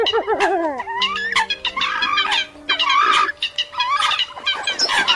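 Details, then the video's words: Lure track of Eurasian coots for trappers, 2021: opens with wavering, yelping notes, then a crowded burst of coarse, clipped squawks from many birds, about one strong call per second, with thin sustained tones beneath. "Tiếng Sâm Cầm Mới Nhất 2021"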